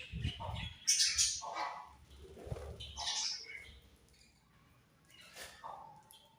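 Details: Pet budgerigars chirping: scattered short squawks and sharp high chirps in irregular bursts, louder near the start and fading later, with soft low rumble beneath.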